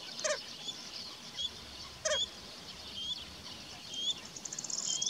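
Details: Red-knobbed coot (Fulica cristata) in Andalucía, Spain, giving two short, nasal honking calls about two seconds apart, with thin high chirps of small birds behind.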